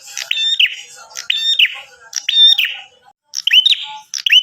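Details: Calls of a bar-winged prinia, played to make other prinias answer: crisp high chirps sliding into short buzzy notes, delivered in a run of phrases about a second apart, broken by a brief pause.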